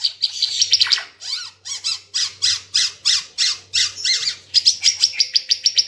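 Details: Ara Timor bird singing hard, used as tutor material for cage birds: a steady series of harsh, high, squawky notes repeated about three times a second, ending in quicker, sharper chips. A faint low hum underneath.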